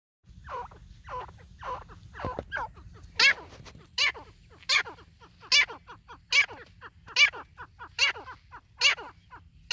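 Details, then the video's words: White partridge calling: a series of harsh, buzzy notes, at first softer, then louder sharp strident bursts repeated about once a second, with a low hum underneath. "white Teetar ki Awaz |white Teetar voice |Teetar sound |Teetar ki boli"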